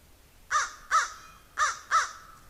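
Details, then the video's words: A crow gives four harsh, nasal caws in two quick pairs, each short and slightly arched in pitch, while a squirrel goes after a raven. "Crow is making noise"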